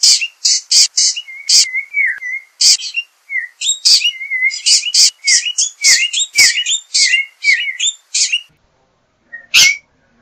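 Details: Yellow-backed Oriole (Icterus chrysater) singing: a fast run of harsh, clicky bursts mixed with short whistled notes that slur downward, delivered in quick groups over about eight seconds, then a pause and one final note.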